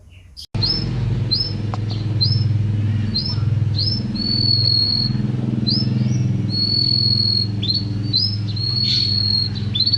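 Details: Canary song meant for teaching caged birds: a string of clear, high, drawn-out whistles and short upswept notes repeated in quick succession over a steady low hum, after an abrupt click at the start.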